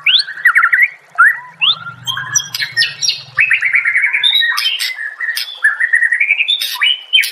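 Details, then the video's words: White-rumped shama singing a rich, varied song of loud fluty whistles, rapid trills and sharp chattering notes, phrases tumbling one after another with barely a pause. "Masteran murai"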